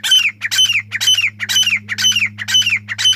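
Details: Rhythmic chukar partridge call: loud, hoarse chuk notes sliding downward, repeated about twice a second in an even series over a constant low hum.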